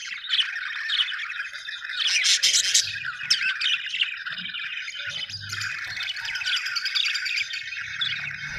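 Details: Budgies chirping in a tight chorus of rapid squeaks, warbles and chattering notes, with a loud excited flurry around two to three seconds, then steady overlapping twitter.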